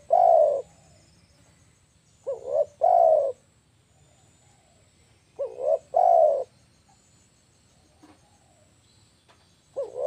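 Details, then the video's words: Spotted dove call used to lure birds, four phrases roughly every three seconds, each a short doubled coo running into a loud, drawn-out falling coo, with faint low hum between. "SUARA AMPUH TEKUKUR PIKAT AUTO NGAMUEKK..!!!"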